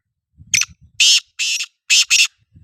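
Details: Black francolin calling: a series of loud, harsh, grating notes. One short note is followed by two longer bursts, then a quick pair, all within about two seconds. Faint low thumps sound underneath.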